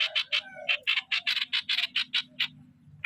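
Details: Streak-eared bulbul used as a decoy bird, giving a rapid series of short harsh chirps, about eleven bursts in under three seconds, with a few softer lower notes between them early on.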